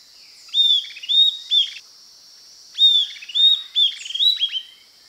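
Southern antpipit singing two quick bursts of sharp, high whistled notes, each a run of short downslurred whistles, over a steady high insect-like hiss.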